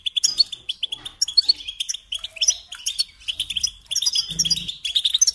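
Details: Bright, high goldfinch song of quick chirps, tinkling trills and rolling twitters, with a short low buzz heard near the end.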